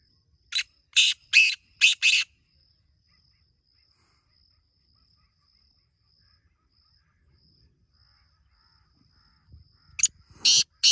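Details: Black francolin (kala teetar) gives a phrase of four rapid harsh grating notes, then about seven seconds of near silence before another loud rasping burst starts at the end.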